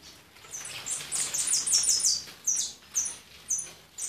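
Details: European goldfinch singing a run of high, bright chirps that build into a dense twittering burst, then break into separate sharp notes about every half second.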